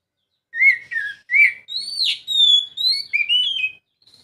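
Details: Oriental magpie-robin singing as a prompt for a quiet bird: slurred whistles, then long flowing whistled notes that rise and fall smoothly, ending in a softer warbled passage.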